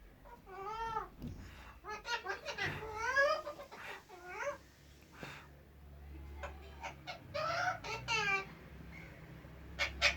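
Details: Talking pet parrot producing speech-like babbling, with wavering, rising-and-falling syllables in strings, some squeaky and some grating, over a steady low hum.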